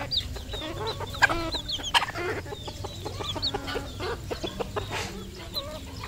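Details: Red junglefowl kept as a local decoy bird gives sharp clucks and chattering squawks about once a second, overlapping with other fowl voices and a low hum.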